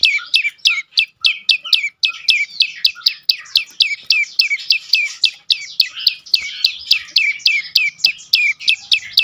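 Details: 'Dorr' song of a prenjak lumut prinia, played as a lure for silent birds: a dense, even run of shrill descending notes, several each second, against a clean, quiet background.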